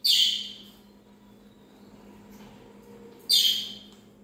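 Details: Two piercing, rasping parrot screeches about three seconds apart, each loud at onset then fading, with a quiet steady background hum between them.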